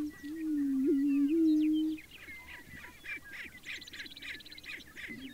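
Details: Prairie chickens booming at a spring lek on Fort Pierre National Grassland, central South Dakota, early morning: a loud, low, hollow moaning hoot held about two seconds with a brief wobble, then rapid cackling and chattering calls from other birds.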